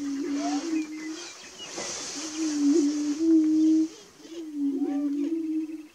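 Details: Prairie chickens near dawn on 30 March 2018. Low, resonant moaning booms swell and fade in long waves, pausing twice, with a few faint higher whoops and slurred notes in between.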